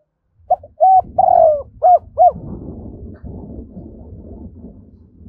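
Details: Decoy spotted dove calling in the morning, 'hai hậu đôi' coo: short notes, a drawn-out sliding coo and two quick final coos, followed by low rumbling background noise.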